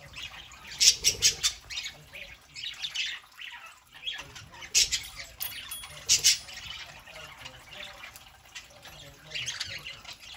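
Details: Group of pet parakeets, including a three-month-old young one, on a Saturday morning: clusters of rapid rasping chirps and squawks, a quiet pause mid-way, then more bursts of excited twittering.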